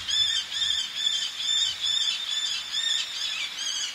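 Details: Eleonora's falcon, a male calling close by with females calling from ledges, sea in the background: a steady train of harsh, squealing notes repeated about twice a second, overlapping voices, with a soft wash of surf underneath.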